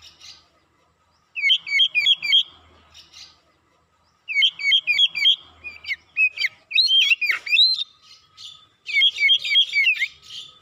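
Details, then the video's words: Oriental magpie-robin lure song, fast, persistent and full of varied material, meant to provoke other birds: bursts of rapid looping whistled notes in four energetic phrases split by short pauses, a faint low hum beneath. "PANCINGAN KACER CEPAT KONSLET NGOTOT BONGKAR ISIAN"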